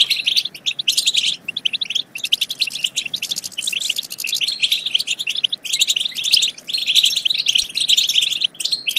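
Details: European goldfinch song played to stimulate goldfinches to sing and mate: dense, rapid, high twittering of chirps and trills in bursts, pausing briefly around two and five and a half seconds.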